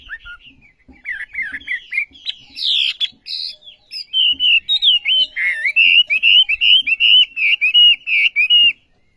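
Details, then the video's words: Olive-backed sunbird giving its characteristic song, starting with thin zigzag notes and high buzzy bursts, then settling into a regular series of loud, curved whistled syllables repeated roughly twice a second until it stops. "Burung Wambi Gacor Khas Sekali Kicauanya"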